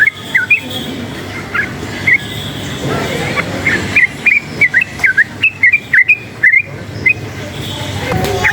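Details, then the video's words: Yellow-vented bulbul, a forest-type bird made excited by noise, sings sparse then denser bursts of quick whistled chirps, bunching into a lively run toward the end, with rumbling noise underneath. "suara bising menambah EMOSI burung TRUCUKAN ini | trucukan ngalas gacor nembak ropel uplik uklik"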